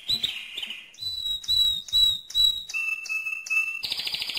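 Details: Loud song of a mosaic canary: a rolling opening, then ringing whistled notes repeated about twice a second, dropping to a lower whistled series before a harsh buzzy burst.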